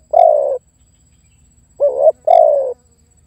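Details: Spotted dove calling to lure and pressure a rival: a long, falling mellow coo, a pause of over a second, then a wavering short coo and another long descending coo.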